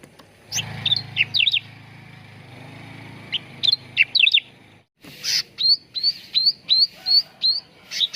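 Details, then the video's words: Grey-bellied bulbul singing on a training lure recording meant to get birds singing quickly: clusters of rapid upswept chirps, then a steady run of about eight sharp rising whistles nearly evenly spaced, with a low hum early on. "SUARA PANCINGAN CUCAK RANTING BAHAN AGAR CEPAT GACOR || MASTERAN CUCAK RANTING"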